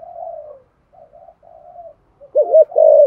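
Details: Spotted dove giving thổ-style coos meant to stir other doves into cooing: three quiet, even low coos, followed by a loud wavering double note and a strong sustained coo.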